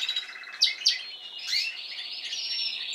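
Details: Spanish timbrado canary, a caged bird from last season, singing with a few sharp upward notes, then a sustained buzzy warble around mid-high pitch; other young birds from this season are learning to sing.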